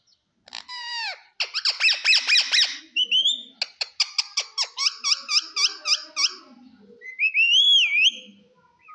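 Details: Green parrot talking indoors: one bending squawk, then a rapid train of clipped, buzzy syllables, several repeated beats, closing with a long upward-gliding whistle.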